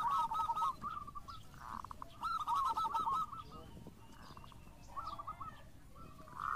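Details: Local zebra dove singing actively, used as a lure: bursts of rapid rolling coos come between pauses, set against a hissy, noisy background.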